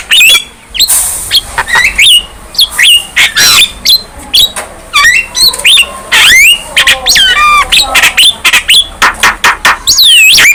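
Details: Active young Javan myna pouring out a jumbled song of squawks, rapid clicks and looping whistled notes, fast busy phrases with a few noisy harsh blasts.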